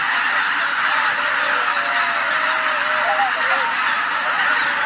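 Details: Flock of geese at Shishihana, Izunuma marsh, on an overcast dawn, later taking off after six in four or five waves. Unbroken massed honking, with a run of clearer level and dipping calls in the middle.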